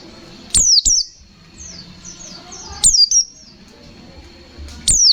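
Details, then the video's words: White-eye (pleci) singing in the lively 'gacor fighter ngalas nembak' style: short bursts of high, sharply down-slurred whistled notes in pairs, roughly every two seconds, with faint low background hum between phrases. "Suara burung pleci Gacor fighter Ngalas nembak, Sobek sobek"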